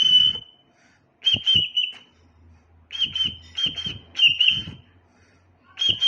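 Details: Whistling from a tame pet cockatiel: bright, steady high-pitched notes in short grouped bursts of two to four, spaced by brief gaps, with a soft low hum underneath in the middle section.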